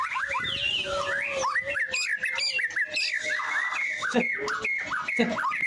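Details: Singing white-rumped shama delivering rich, varied whistles, quick upward and downward slurs and chattering notes in a busy, continuous sequence, with some background noise.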